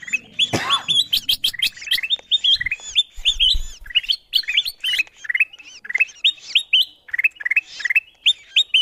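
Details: Kutilang emas bulbul lure recording meant to bring wild birds to the sound: long energetic chatter of quick upslurred whistles and chirps, nearly unbroken, with a brief low thump early and later.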